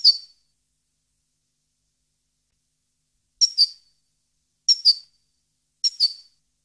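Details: European goldfinch (parva), 2015, giving paired high whistled chips. One note opens, then after a pause three double-note phrases follow at steady intervals of just over a second.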